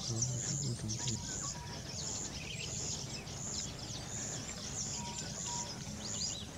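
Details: Golden palm weavers at a large nesting colony of weavers and bishops at Nguuni. Overlapping high, sizzling chirps and squeaky notes over a steady low rumble.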